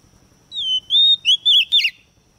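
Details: Female white-rumped shama used as a lure to stir males into singing: clear whistled phrases near one pitch, a long slurred note followed by three short warbled notes, ending in a rising flourish.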